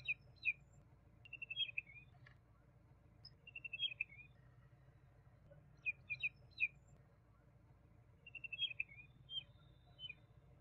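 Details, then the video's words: Repeated phrases from a juvenile common babbler: short fast trills of high notes alternating with clusters of two or three sharp downslurred chirps, steady through the recording, low hum in the background. "Juvenile Common babbler (Argya caudata) Song - Sound - Singing - Call - Voice - Vocals - Chirping"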